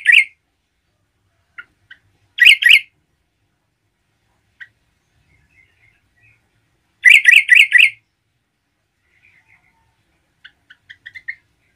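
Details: Yellow-vented bulbul in vigorous song to stir up other bulbuls: loud clusters of rapid bubbling notes, the longest a run of five, with scattered soft chips and short rising whistles.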